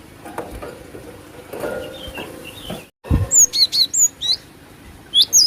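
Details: Female cinereous tit voice used for luring birds. Low rustling noise comes first, then a lively series of high, sharp, slurred notes, followed by a brief final pair.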